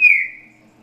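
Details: Green-winged saltator singing the slow "grego boca mole com boi" song type, used for tutoring chicks: a single loud, clear whistled note that slides slightly downward and fades within a second.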